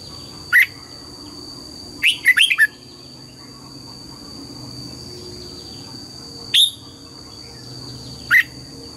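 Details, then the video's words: Red-whiskered bulbul morning song in the double-note wild style, sparse here: one fast run of four whistled notes and three lone sharp notes, with long pauses and a continuous high whine. "Luyện giọng chào mào hót sáng, ép chào mào hót âm kép già rừng hay tuyệt!"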